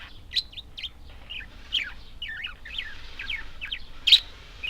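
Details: Budgerigars chattering in a quick run of short warbled notes, twisting up and down, with a loud sharp chirp near the end and little background noise.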